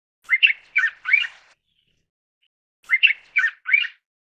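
A mountain bulbul gives two quick bursts of four harsh, slurred chattering notes, high-pitched and grating, with a brief pause between. Nothing else is audible.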